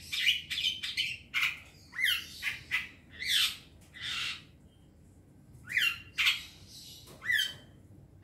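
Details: Young wild long-tailed shrike giving harsh, squawking calls mixed with sharp downslurred whistles, in separate bursts with gaps of quiet.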